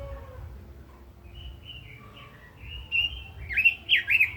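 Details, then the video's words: After a quiet, hum-filled start, a Red-billed leiothrix breaks into 'kích giọng' song: a few thin whistles, then loud, swooping slurred notes in quick succession near the end. "Chim Quế Lâm kích giọng hay, căng lửa - Burung Robin Gacor | Chim Kim Oanh Mỏ Đỏ"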